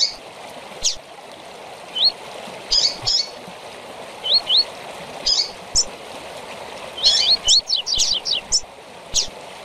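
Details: Tui-tui song of a double-collared seedeater mixed with chips, played to train young birds. Scattered sharp chips and rising whistles build to a dense burst of slurred notes near the end, with a steady rushing background.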